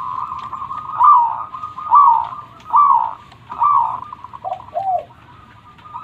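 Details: Local zebra dove singing over a steady background coo. Four swelling, rippling notes come at a regular pace of about one per second, followed by two lower, shorter descending coos.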